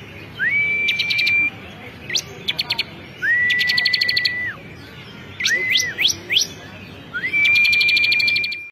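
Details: Bar-winged prinia known as ciblek kristal in lively contest song: level whistles laced with rapid trills, quick rising slurred notes in clusters, and brief ticking bursts repeating throughout.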